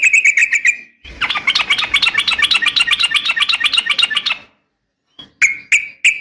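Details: Yellow-vented bulbul female calling to a male, used to stir caged males to sing: a short chattering run, then a long, dense, rapid stream of ringing notes lasting over three seconds, followed by three spaced single notes.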